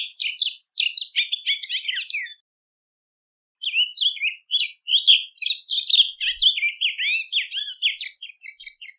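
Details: Song of the rusty-collared seedeater, meant for tutoring birds: quick chattering and warbled notes, a pause of about a second, then a long lively series of varied slurred phrases.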